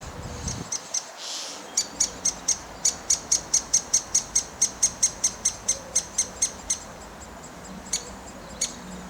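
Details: Great spotted woodpecker (Dendrocopos major) chick calling from a tree-hole nest in a park in Wrocław, Poland, 16 May 2024, begging parents for food: a fast, steady run of about twenty thin, high chirps, around four per second, then a few scattered ones.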